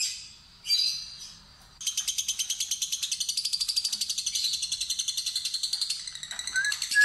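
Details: Inexperienced fighter lovebird tested with a ngekek lure. A few separate chirps lead into a sustained, fast, high chattering trill, which ends with short squeaky notes.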